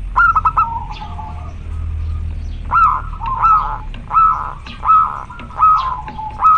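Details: Male local zebra dove calling to a female, singing actively and clearly: repeated bursts of mid-pitched, rolling cooing notes, each phrase breaking into quick staccato pulses, about five phrases spaced roughly a second apart, with sharp clicking sounds between them.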